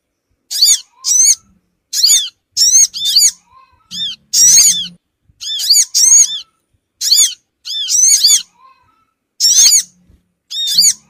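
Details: Harsh, scratchy crimson sunbird call used as a lure for small birds, repeated as short chattering bursts of arched notes about every half second to second over eleven seconds, with faint low hum underneath.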